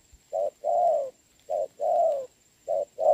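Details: Spotted dove cooing in rain as a decoy lures a willing wild bird, 26 November 2022; a short note followed by a longer drawn coo, the pair repeated three times in about three seconds.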